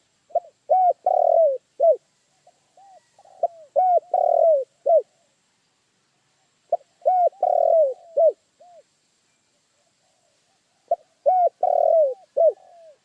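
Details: Spotted dove cooing: soft, low, mellow phrases of a few short coos then a longer drawn note, repeated about every three to four seconds with quiet pauses between.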